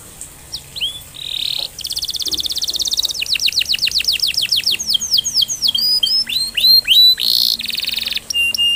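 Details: Canary song used as a lure to stimulate other canaries to sing: a fast, varied sequence of high rolling trills, buzzy rattles and rapid downslurred whistles, phrases changing every second or so, with no other sounds.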